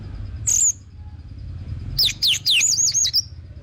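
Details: Orange-headed thrush giving a single high whistled note, a pause, then a fast series of descending slurred whistles ending in a wavering trill, played to encourage other birds to sing.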